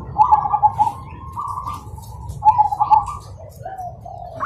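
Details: Morning song of zebra doves answering one another: mellow cooing phrases with rapid rolled notes and smooth drawn coos, two phrases in under five seconds, steady low rumble beneath.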